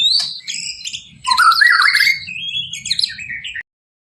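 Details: Murai batu or white-rumped shama, full-isian masteran song: high whistled notes, a loud burst of buzzy rising phrases, then a long sliding whistle, ending abruptly in silence.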